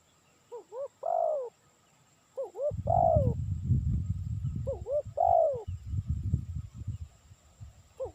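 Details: Spotted dove call used for luring: two short upturned notes then a drawn-out falling coo, given three times, over loud low rumbling handling noise and a faint constant high tone.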